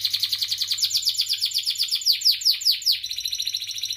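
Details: Canary song, a long stimulating song meant to train other canaries: rapid trills of downward-sweeping notes, about eleven per second, bright and high, steady through the clip with a faint low hum underneath.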